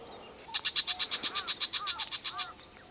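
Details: Brown shrike recorded on 7 August 2011, giving a harsh, rasping chatter of about sixteen evenly spaced notes, roughly eight per second, lasting two seconds against quiet background hiss, with faint thin chirps from other birds.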